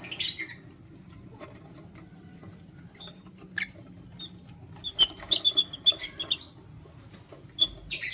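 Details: One male lutino lovebird with two females: sparse high squeaks at first, then a dense, rapid flurry of sharp chirps midway, ending with a loud squeaky burst.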